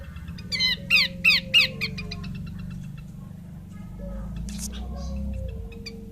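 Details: Female Horsfield's babbler giving a quick burst of harsh, buzzy downslurred notes, about five in a row, then fading into softer ticks, over a steady low hum and a faint thin whistle.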